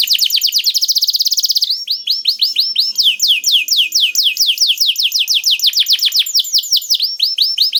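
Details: Canary song played as bait so other canaries start singing: a very fast rolling trill, then a long run of descending slurred notes, repeated briskly, with speed and pitch shifting between phrases.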